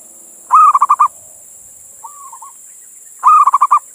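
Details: Local male zebra dove calling a female, used as a lure to draw other doves. Two loud phrases, each a long mellow coo then four or five quick pulsed coos, with a soft bent coo between them and a steady high hiss.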